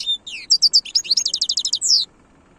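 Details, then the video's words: Khloui-style song of a European goldfinch: a rushing series of liquid twitters and quick repeated high chips, closing with a drawn-out slurred note before quiet. "تغريد الحسون خلوي chont chardonneret"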